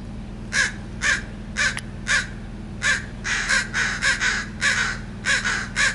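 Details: Territorial crows nesting in a backyard, June 2017, give harsh, raspy caws in quick, uneven runs, about two a second, some overlapping, over a steady low hum.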